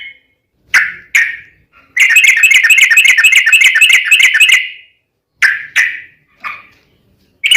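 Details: Long rapid roll from a sooty-headed bulbul, used as a lure for other bulbuls: two sharp opening notes, a fast buzzy trill of about two and a half seconds, then scattered single downslurred notes.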